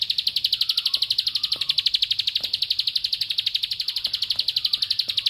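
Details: A bar-winged prinia in 'bren' style delivers an unbroken, machine-like series of clipped high ticks, roughly four each second, steady and loud throughout, with faint soft whistles beneath.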